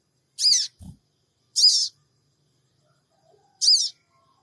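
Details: Sooty-headed bulbul giving a 'cingik cingik' lure call, recorded with an Android phone in Purbalingga to make other birds respond: three brief, high, buzzy chirps spaced about one to two seconds apart, one faint low thud, quiet background.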